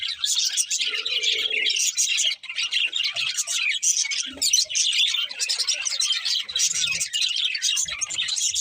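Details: Happy budgies singing as they eat: thick, overlapping chatter of high twitters and harsh buzzy notes, continuous apart from one short dip, with faint low clicks and rustles.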